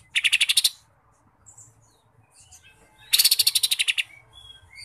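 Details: Green leafbird (mini) singing jamtrok style with kapas tembak mimicry: a short buzzy trill of about seven pulses, a pause with scattered faint notes, then a longer rattling run of about eleven rapid pulses.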